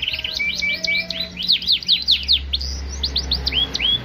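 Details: Yorkshire canary singing briskly: a short level whistle, a rapid cascade of steep swooping notes, then separate upslurred whistles spaced about a third of a second apart, over a low hum.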